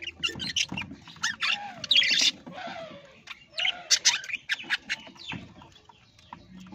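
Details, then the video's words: Pet parrot in an aviary giving loud, harsh squawks and short chirps in bursts, with rising and falling squeaky notes between them and a low background hum. "parrot bird new video"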